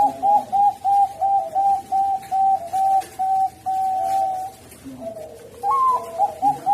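A zebra dove gives a quick string of soft, staccato coos, about three a second, then a drawn-out note and a rolling, slightly higher phrase.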